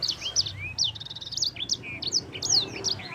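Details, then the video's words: A yellow-fronted canary, called sanger, singing fast: bright high whistles, a smooth rising slur, then a buzzy rapid trill and more twisting chirps packed closely together. "Kicauan Sanger Gacor Roll Juara"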